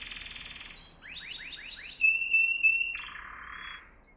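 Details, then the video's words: Canary singing for training young birds: a short, high buzzy roll, then five quick rising chirps, a thin sustained whistle, and a lower grating trill. "Most powerful song for training Canary"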